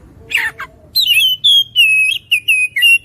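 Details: Oriental magpie-robin: a harsh, scratchy note or two, then a run of clear whistled notes, held flat or dipping, repeated in short even bursts.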